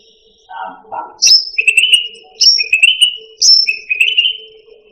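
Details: Cucak rante song used to train caged songbirds: after two low rough notes, three phrases each open with a sharp high note followed by a wavering whistled trill.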